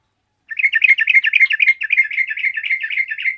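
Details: Yellow-vented bulbul in lively full song, drawing replies from other bulbuls: a dense, fast run of bubbly chirping notes, about four per second, steady and unbroken for three seconds after a short silence.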